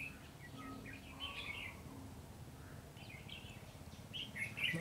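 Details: Red-whiskered bulbul, noted for spreading its wings like a butterfly, delivering brief bright chirping phrases in three bursts, the last loudest, over a noisy low rumble.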